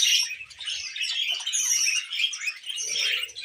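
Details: A tame female budgerigar warbling continuously: dense, scratchy chatter mixed with bright chirps and squeaks, unbroken throughout, with a faint low clicking underneath.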